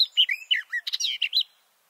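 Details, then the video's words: Male garden warbler singing from a bush, recorded up close from a shelter tent with microphones about two meters below him: a rich, fast warble of varied, rolling notes lasting under two seconds, then quiet. "This garden warbler song (Silvia borin) sounds great!"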